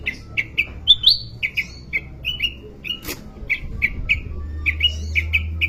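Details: Sooty-headed bulbul singing: short bubbly whistled notes repeated with brief gaps, some rising phrases, over a low background hum.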